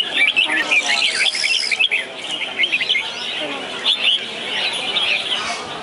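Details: Red-whiskered bulbuls at a singing contest in Hanoi, Vietnam; bright, fast warbled and chattering phrases from several overlapping birds fill the clip, with a steady murmur of people underneath.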